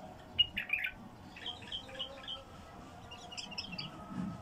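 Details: Bulbul caught from the wild, in its first isolation, giving rapid, jumbled warbling phrases with a few sharp notes at the start, set against a noisy, humming background.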